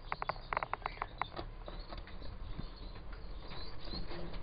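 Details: An adult pair of siskins kept in a breeding cage, giving a quick run of short chirped notes in the first second or so, then quieter background rustling and low cage noise.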